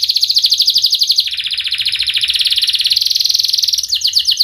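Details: Canary song used as a lure to help young canaries learn to sing: a fast, dense, sharp trill of tightly packed high chirps, shifting pitch slightly between sections, loud and continuous throughout.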